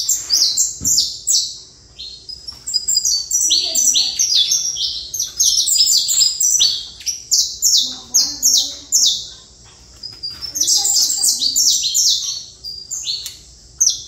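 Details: Long saffron finch song made of rapid, high falling chirps in busy bursts separated by short pauses, with occasional soft low sounds in the background.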